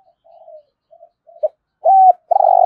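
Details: Spotted dove giving the thúc gù call in the thổ rền voice, a rolling, resonant style. Faint soft coos come first, then a loud, even coo and the start of a buzzy, rolling note that is cut off at the end.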